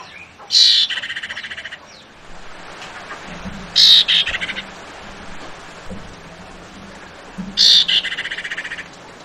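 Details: A female Javan white-eye calls to provoke a response from the male: three high, bright chattering bursts, each a quick ringing phrase trailing into short pulses, spaced about every three and a half seconds over a low hum.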